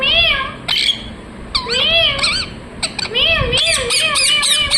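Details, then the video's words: Parrot talking in mimicked speech: wavy, strongly harmonic voice-like phrases in several bursts separated by short gaps, with a few sharp clicks and a quiet background. "Parrot talking mithu mithu"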